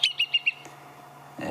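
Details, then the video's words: A Brown-hooded Kingfisher at Djuma, heard on a late-February sunset safari drive, gives its "pity for you" call: four quick, high, sharp notes packed into half a second, followed by a low steady hum and a brief knock at the end. "So that's the striped. Then the brown hooded says, "Pity for you."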